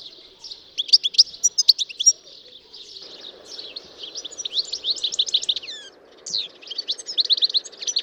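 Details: Melodious song of a European goldfinch, a quick jumble of high liquid chirps and trills in two bursts separated by a brief lull, then resuming with fast tinkling notes, over a soft background hiss.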